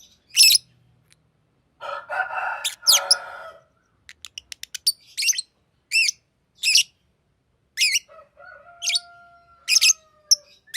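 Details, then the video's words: Green lovebird chirping loudly: shrill, high chirps, a short harsh raspy passage, a rapid run of tiny clicks, then evenly spaced chirps, with a faint steady whistled tone near the end. "Green Lovebird Chirping Sound"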